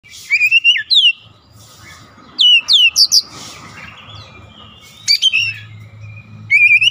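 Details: Oriental magpie-robin (kacer) singing persistently, loud clear whistled phrases with sliding notes and rapid high trills in bursts separated by pauses, faint low hum beneath.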